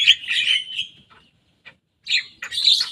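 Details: Short bursts of harsh, squeaky chatter from a young Javan myna imitating rival birds' songs, broken by a brief silence.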